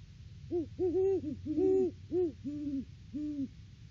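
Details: Off-season duet of a wild great horned owl pair visiting their nest tree, 3 December 2022, live camera: a run of about eight deep hoots from two birds, some overlapping at slightly different pitches, spaced under half a second apart.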